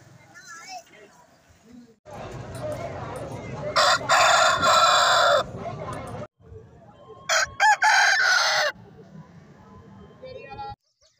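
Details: Roosters crowing: loud harsh drawn-out crows in two bursts of several seconds each, with background clucking and a murmur of human speech between them.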